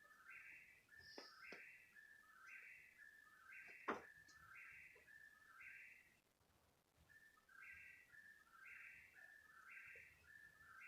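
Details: Bird of unknown kind calling at 3 in the morning, persisting for around thirty minutes; looping whistled three-part phrases about once a second, interrupted by sharp clicks and a short pause near the middle.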